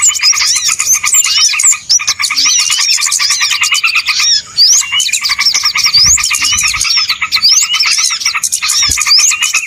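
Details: Small birds calling together as a trapping lure: a busy wall of chirps and rapid ticking, bright looping whistles and upslurs, two short lulls near two and four and a half seconds.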